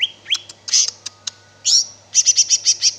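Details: Lively greater green leafbird song, called cicak ijo, with sliding whistles, scratchy high bursts and a closing run of six quick, evenly spaced high notes over a faint low hum.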